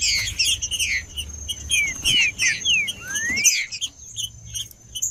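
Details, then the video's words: Male green-winged saltator in heated song to warm up other birds, with several curved whistles, one long rising sweep, then a sudden break into quieter scattered chirps. "Trinca ferro cantando Para Esquentar Trinca ferro"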